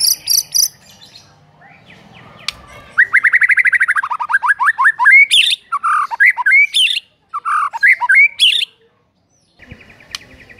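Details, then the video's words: White-rumped shama morning lure song to train a silent bird: high piping notes, a long rapid rattling trill gliding downward, then varied loud slurred whistles and harsh accents, ending with a soft high buzz. "PANCINGAN PAGI HARI UNTUK MELATIH MURAI BATU BISU AGAR CEPAT GACOR"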